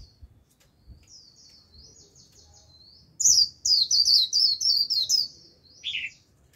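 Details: Caged Japanese white-eye decoy singing its líu song to lure a wild flock: faint high twitter first, then a loud run of rapid, buzzy, descending high notes, ending on a lower trill.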